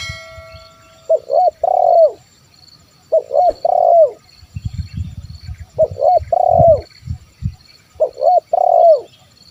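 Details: Spotted dove singing in the 'kuk 1' style, played to lure wild birds into calling: four repeated phrases of clipped double notes and a drawn-out burring coo, about every two and a half seconds, over a low rumble.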